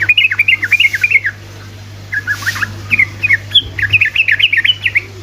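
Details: Sooty-headed bulbul, trucukan, in busy ropelan song intended to provoke other bulbuls to answer: looping warbled phrases, a short pause, then another run of bright rising and falling chirps, with a steady low hum.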